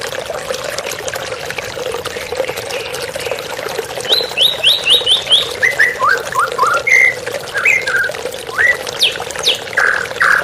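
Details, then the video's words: White-rumped shama singing over running water for a therapy recording: quiet start, then a fast series of repeated whistled notes stepping down in pitch, followed by varied slurred whistles and a buzzy phrase. "TERAPI MURAI BATU Stres Macet Langsung pulih _ Terapi Murai Dengan Suara Air Mengalir"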